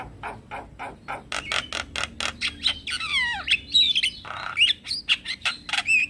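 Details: Male Javan myna lure call aimed at other mynas and starlings: repeated sharp clicking pulses roughly a second apart, breaking into descending whistled slurs and harsh buzzy notes, then more spaced clicks.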